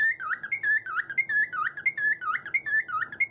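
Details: Pet cockatiel indoors in its cage, which it had been banging noisily before warming up to show off its whistling. A bright warbled whistle of looping notes rises and falls in quick succession, about one and a half notes per second, over a faint room hum.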